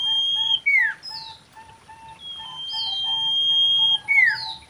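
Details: A common iora sings for mating. A long, flat, pure whistle ends in a fast downslurred note. A second, longer sustained whistle follows and closes the same way, with a steady low tone beneath.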